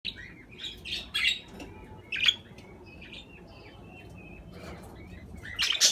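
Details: Budgerigars calling: short chirped notes and rising contact calls broken by a few loud, buzzy, chattering bursts, with quiet gaps between them.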